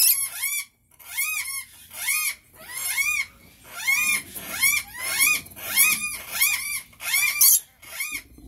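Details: Rainbow lorikeets make a rhythmic series of shrill, arched squeals, often in paired notes, repeating steadily about once a second over eight seconds.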